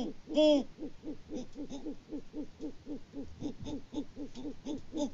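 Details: Great Horned Owls, a mated pair on a Kansas farm at Peabody, trading hoots in February 2024 while the male sits out of sight. One loud, full hoot opens, then a rapid, even series of softer hoots at about four per second.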